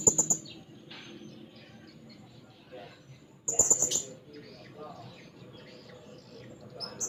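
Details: Blue-crowned hanging parrot in lively voice, seeking a rival: two brief bursts of very high, thin, sharp notes about three seconds apart, with quiet low background hum between them.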